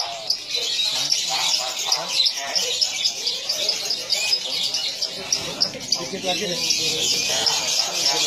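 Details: Lovebird in song: a continuous shrill, squeaky chatter of high notes, with rougher lower-pitched sounds mixed in throughout.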